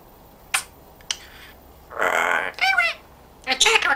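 A grey parrot gives two sharp clicks, then three short bursts of speech-like chatter with a harmonic, voice-like tone in a small indoor room.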